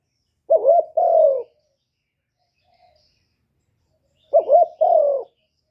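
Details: Two widely spaced coo phrases from a spotted dove, recorded in 2023, about four seconds apart, each a wobbling short coo and a longer falling coo in a quiet setting.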